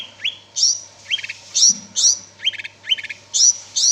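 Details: Greater green leafbird singing vigorously: bright whistled notes with sharp upward sweeps alternating with short buzzy trills, phrases repeated roughly every half second, with a faint low hum underneath.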